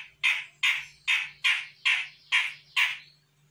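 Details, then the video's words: Sumatran grey-cheeked bulbul, a young bird not yet trained, replying to a lure: seven rough, grating notes repeated steadily about twice a second, then a quiet end. "CUCAK JENGGOT SUMATRA GACOR - CJM BAKALAN AUTO NYAHUT"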